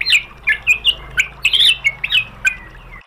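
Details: White-rumped shama singing as a lure meant to provoke a rival into replying: separate short, sharp slurred whistles and squeaky notes spaced about every half second over a quiet low hum.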